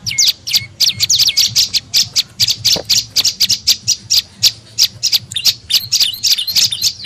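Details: Lure call of the prenjak lumut tailorbird, meant to attract birds: fast, harsh high chirping with a few drawn-out falling notes at the start, sounding like scolding chatter.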